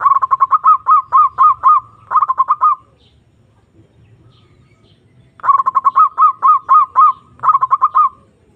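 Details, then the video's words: Zebra dove (perkutut) lure recording meant to call a rival: four bursts of fast, bubbling coos, each of several rolled notes and then a drawn-out purring tail, with a silent gap of about two and a half seconds midway. "Pancingan Perkutut Memanggil Lawan Manjur Langsung Nyaut"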